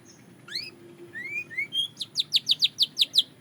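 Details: Belgian canary singing for a daily training routine: a few rising whistled slides, then a fast series of about nine bright descending chirps repeated roughly every fifth of a second, with a faint steady low hum beneath.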